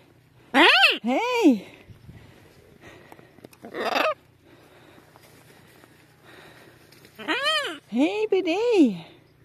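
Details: Chatty pet macaws out on a calm, sunny winter day in February 2023, energetic after a windy rest day. Loud, harsh arched screeches come in pairs, with a raspy squawk between and a second burst of three screeches near the end.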